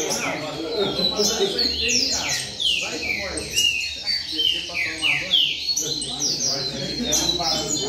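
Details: A group of double-collared seedeaters gathered in a singing circle, calling and singing: busy, overlapping runs of sharp, descending whistled chirps, with a person speaking in the background.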